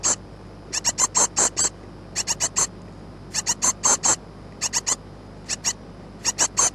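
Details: Great tit chicks about two weeks old, on 14 May 2011, beg for food with high, thin, hissing chirps in tight bursts of three to six, separated by short pauses, over a low steady hum.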